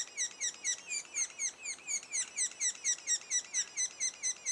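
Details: Sapsucker calls from a nest two days before the first young fledge: a steady run of short, harsh, downslurred notes, about two per second, stacked in bright high overtones, with no other clear sounds.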